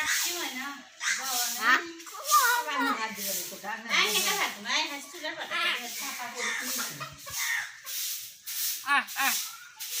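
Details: Common hill myna talking continuously in speech-like babble, with wavering harmonic syllables and breathy bursts repeated about once a second.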